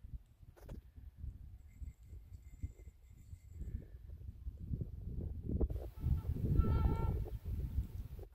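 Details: Swans flying in overhead near a forest cabin on an unusually warm mid-November day give nasal, horn-like honks, then a short burst of bugling notes toward the end, over steady low wind rumble and handling noise.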